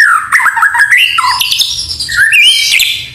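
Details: White-rumped shama in energetic full song, mixed with canary and cililin imitations: slurred, twisting whistles that dip and rise, with bright buzzy high notes layered over them and one clear upswept whistle near the end.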